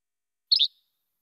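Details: Yellow-bellied Flycatcher, first of two song types, resembling the Least Flycatcher's che-bek yet raspier and not as sharp; a single quick, high, buzzy two-syllable phrase with nothing else audible.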